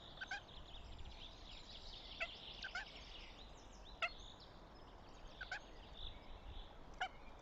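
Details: Goshawk at a nest in Tartu, Estonia, recorded 6 May 2025, repeating sharp harsh calls roughly every second or so, single and paired, with woodland songbirds singing steadily in the background.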